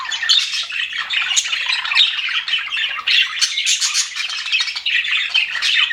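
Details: Aviary budgerigars in a happy mood, many birds chattering at once in a steady, high, grating warble of squawks and chirps.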